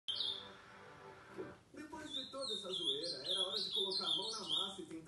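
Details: Ultramarine grosbeak singing after 11 at night: after a man's voice, a string of high whistled notes that slide and step downward, repeated in a continuous warbling phrase.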